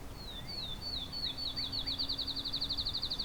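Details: Field Sparrow, fairly close, at Vinemount Meadows east of Hamilton on May 31, 2020, after rain, sings a sweet, high series of whistled notes speeding into a rapid trill like a bouncing ball; low steady hum underneath.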